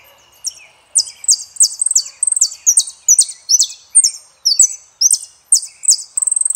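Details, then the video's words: Argentine saffron finch delivering El peregrino: a lively run of sharp high chirps and slurs, closely spaced, closing with a quick rattling trill. "JILGUERO ARGENTINO - El peregrino"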